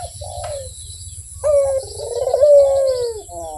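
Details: Barbary dove singing melodiously. A soft introductory coo is followed by a louder, drawn-out rolling coo that trembles, then glides smoothly down in pitch.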